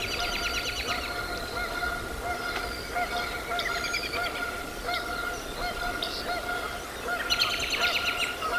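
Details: Bald eagles at the Decorah North Nest, Iowa, 09.04.2024; bursts of rapid staccato chattering notes open and close the clip, with scattered high chirps between them over a constant hum.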